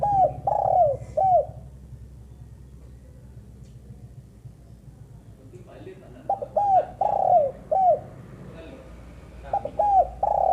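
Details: Repeated coo phrases of a female spotted dove, the pattern recurring roughly every five seconds. Short opening notes, a long grainy downward coo and a closing rounded note. Quiet murmuring background in the gaps.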